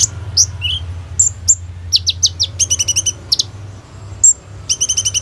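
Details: Sunbird known as kolibri ninja, in full gacor song for a training lure: varied high chirps, several steep downslurs, and two quick stuttering trills of stacked ticking notes, with a low steady hum beneath.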